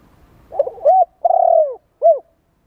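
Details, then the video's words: Spotted dove coo used to rouse and train decoy birds: soft rough notes lead into a rising coo, a long wavering falling note, then one short arched coo. "Tiếng chim cu gáy kích bổi,tập bổi nhanh nổi hiệu quả"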